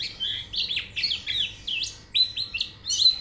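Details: White-eye song used as training audio to make the bird sing: fast run of high chirped and slurred notes, rising and falling sweeps packed closely, with a steady faint low hum beneath.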